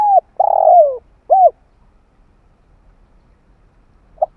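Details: Spotted dove calling, recorded in 2021 to excite decoy birds and train young birds: a hooked coo, a drawn-out rough falling croon and a clipped final coo, then quiet and a lone soft note.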